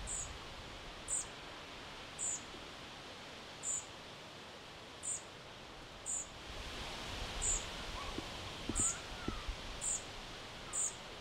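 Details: European pied flycatcher fledglings in Sastamala, Finland, on 29 June 2025 in summer, give thin, very high, sharp calls to each other about once a second, over the steady drone of a distant chainsaw.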